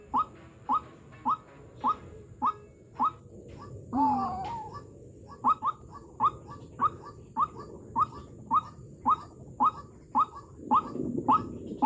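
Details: Decoy White-breasted Waterhen used to lure wild waterhens into hand-made snares, described as very fierce. It gives short, sharp, even notes about twice a second, around twenty in all, broken midway by a longer wavering sound, with faint background hum.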